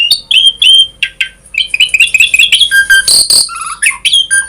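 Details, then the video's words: Energetic Asian pied starling song in the 'full isian' style with many variations, for coaxing starlings to sing: rolling whistled notes and chatter, two harsh noisy bursts near the end, then crisp whistles again. "Jalak Suren Gacor Full Isian ‼️ Variasi,Cocok Untuk Pancingan Suara Burung Jalak Agar Cepat Gacor"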